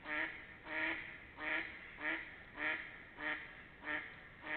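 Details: Duck quacking between 28 March and 3 April 2021: strong, nasal, evenly paced quacks, about eight in under five seconds, each a rich, buzzy note, against low steady hiss.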